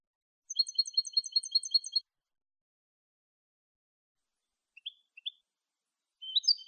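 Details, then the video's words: European goldfinch singing a clean Malagueño-style phrase used to educate captive birds: a fast, regular string of sparkling high notes, then a long pause, a few isolated chirps, and the start of a new twittering burst. "NUEVO CD MALAGUEÑO LIMPIO PARA EDUCAR JILGUEROS"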